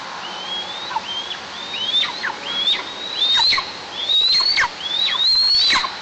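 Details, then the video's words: White-tailed eagle calling from its nest high in a pine in south-eastern Tatarstan on 26 July 2024, waiting for one that did not arrive; a steady series of thin, rising whistles with falling tails, growing louder and quicker, captured by a nest camera. "Кого-то ждали и звали, но не дождались"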